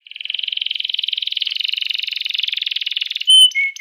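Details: Canary song used to stimulate other canaries into singing: a long fast buzzy trill held near one pitch for three seconds, followed by brief clear whistled notes.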